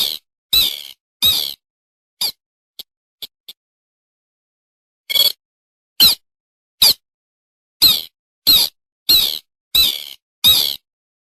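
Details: Bittern call used as a lure to trap birds early in the season: bursts of harsh, squeaky, high notes, some paired, a few faint clicks in between, then a steadier run of calls about two per second.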